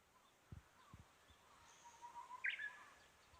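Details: Japanese bush warbler in spring near a home, unseen while singing: a soft sustained whistle leading into a short sharp burst of notes, over quiet background with a few low thumps and faint high calls of other small birds.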